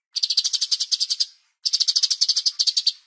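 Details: Bulbul (cucak cungkok) on a songbird training master recording: two rapid, even rattling trills of crisp high notes, each about a second long, separated by a short pause.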